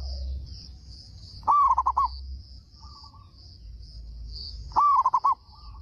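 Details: Local Indonesian zebra dove in full, loud-voiced song meant to lure other doves into answering: two phrases, each a rising opening coo followed by a quick stuttering run of notes, about three seconds apart, over a steady high insect-like hiss.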